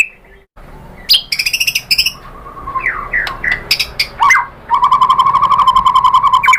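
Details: White-rumped shama singing as a lure to draw other shamas into song: brief sharp chips, slurred whistles, then a long fast run of repeated buzzy notes, about two per second, over a low background hum.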